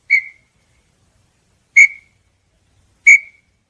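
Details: Small-billed tinamou giving three loud, short whistled notes roughly 1.3 to 1.7 seconds apart, each sharply struck and quickly fading, in an otherwise silent setting.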